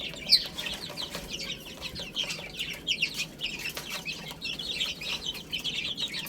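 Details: Little chicks pecking at spinach keep up soft, high chirping in loose clusters, with occasional clicks and rustling underneath.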